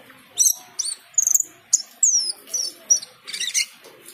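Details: Cucak keling singing vigorously with a full repertoire of filler phrases on hearing the call to prayer: a rapid series of high, varied chirps, sharp whistles and descending slurred notes, with a brief scratchy burst near the end.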